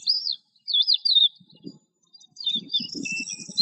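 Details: Lark singing in short bursts: quick looping whistled phrases, a pause, then a high buzzy run of notes, with soft low rumbles beneath.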